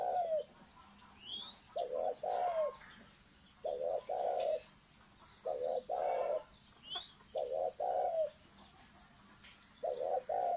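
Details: Spotted dove in thổ sấm cooing, repeating paired low coos every couple of seconds. A steady high electronic whine runs throughout, and brief rising chirps from another bird are heard faintly.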